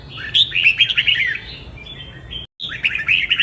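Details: Red-whiskered bulbul in Vietnam practising competitive song: quick, jumbled whistled and chirping notes in a rush, one sustained note, a brief gap, then more lively warbling.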